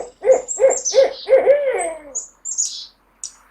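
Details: Owl hooting four quick, even notes followed by a longer note that slides downward, then a few high, thin squeaky chirps trailing off.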